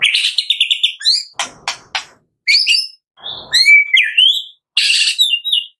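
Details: White-rumped shama from Medan singing as a lure for captive birds: bursts of high whistles and trills broken by harsh rasping notes and short gaps.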